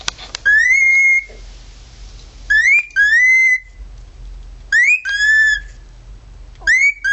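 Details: Male cockatiel at home imitating a siren, with loud whistled phrases that swoop upward then hold a steady tone, repeated four times about every two seconds, with faint hum between phrases.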